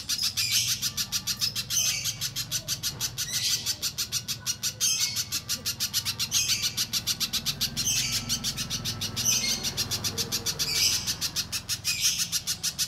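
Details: Lure song of a little spiderhunter, meant to make other birds respond: an unbroken chain of quick, piercing high notes, several per second, swelling into louder clusters at intervals, over a soft low-pitched hum.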